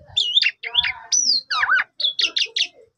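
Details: Softer stretch of Asian pied starling song played in the morning to rouse a sulking bird: warbled whistled notes and a high arched slur, then a twisting downslur and four short chirpy phrases. Faint low rumbles sit underneath.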